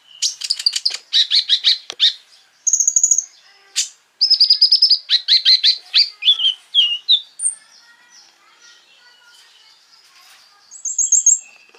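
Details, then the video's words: Lively konin sunbird singing to stir up rival sunbirds: dense bursts of sharp high chips, a thin sustained trill, then a rapid series of clipped descending notes, ending with another high trill. The recording is clean with no background sounds. "PANCINGAN KONIN GACOR FULL BUKA PARUH BIKIN KONIN EMOSI KOLIBRI LAIN !!"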